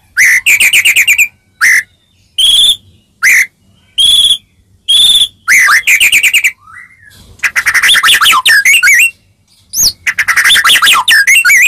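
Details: A white-rumped shama sings to make rival shamas respond: bright steady whistles and fast buzzy trills in short repeated bursts, followed by a long, dense, varied warbling passage.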